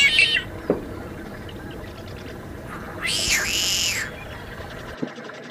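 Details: Tricolored blackbird, a species of California and Baja California, giving a harsh, nasal, buzzy song: a brief strained burst, then a longer grating squeal about a second long, over steady background hiss.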